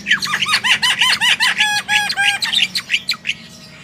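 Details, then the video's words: Javan myna singing energetically in a tutor recording meant to prompt other birds to sing: rapid run of harsh, downward-sweeping chirps, about three a second, then a short stretch of level whistled notes before the song trails off. "Jalak kebo gacor full masteran//cocok untuk pancingan burung anda"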